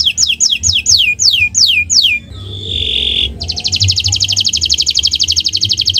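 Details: Canary singing in a training recording: a string of quick downward-slurred whistles, a short buzzy note, then a long, even, very fast trill of repeated high notes. A low hum sits in the background.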